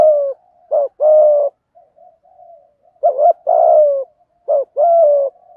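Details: Spotted dove, male and female, thúc gù cooing in thổ voice for stimulating wild doves: low coo phrases of a quick wavering note plus a long flat note, about three heard, with quiet murmuring notes in the gaps.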